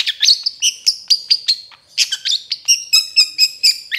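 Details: Long-tailed Shrike (cendet trotol) singing in a training recording for other birds: bright, sharp high chirps repeated about every quarter second, mixed with ringing tonal notes, nothing else audible.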